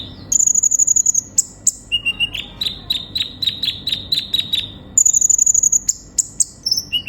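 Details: Sunbird (kolibri ninja) in full active song, used to prompt a konin to sing: a sustained very high whistle, then a fast series of sharp chips, then the high whistle returns, with more chips and ticks.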